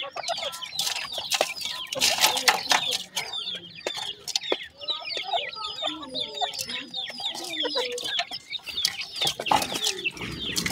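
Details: A crowd of grey francolin (teetar) chicks keeps up a continuous chorus of shrill downslurred peeps, with many sharp clicks and occasional lower clucks.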